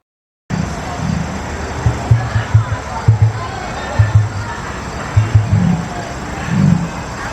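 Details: Emus at the Lincoln Children's Zoo in Nebraska, in the animal encounter area, give deep booming drum pulses and clicking in short bursts about once a second, with a low hollow throb over a faint background hum.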